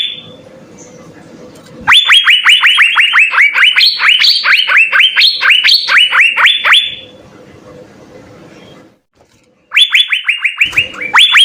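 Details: Asian fairy-bluebird singing vigorously with full fill-in, used as tutor song: two bursts of rapid, ringing upslurred whistles, the first about five seconds long, separated by low hum and a short silence.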